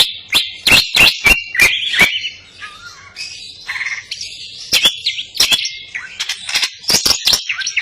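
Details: Greater green leafbird, crest raised and singing vigorously, its song stuffed with cililin phrases: bursts of sharp clicks, high warbles, and a brief lower whistled dip in the middle, then scattered clicks.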